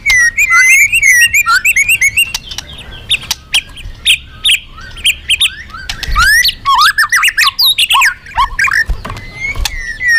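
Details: Magpie-robin in loud, lively full song, used as a lure for other birds: rapid varied whistles, trills and sharp chirps, sweeping notes with frequent short pauses, fast and irregular phrasing throughout.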